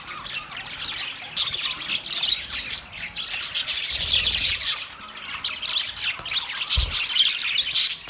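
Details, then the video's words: Pet budgerigar, an Australian parrot, chirping: dense, continuous high twittering with quick buzzy notes and short sharp squeaks, a busy chattering stream with brief louder bursts throughout. "My beautiful Australian Parrot Bird Chirping sound"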